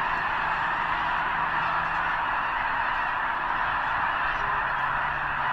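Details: Enormous flock of snow geese at Potholes Reservoir's eastern end, likely assembling before heading north to arctic tundra breeding grounds; a seamless clamor of many honking voices without pause.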